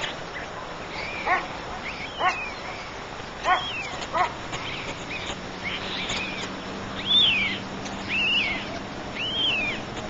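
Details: Three white stork chicks in their nest: arched, whistled calls that rise and fall, given singly and irregularly, roughly once a second, with soft rustling and a faint steady low hum underneath.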